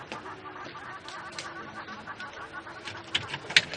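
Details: Hornbills chattering in the morning in bushy silver cluster-leaf scrub on a safari drive among many birds: quick, uneven clucking notes with sharper bursts near the end against busy background birdsong.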